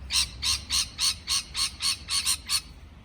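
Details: Parrot giving a steady series of nine harsh, scratchy chirps, roughly three per second, evenly spaced and similar in loudness.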